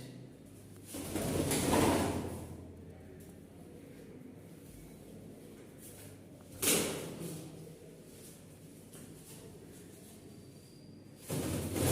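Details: Indoor handling noises with sliding and banging sounds like a drawer or door, over a low room hum, and no clear animal calls.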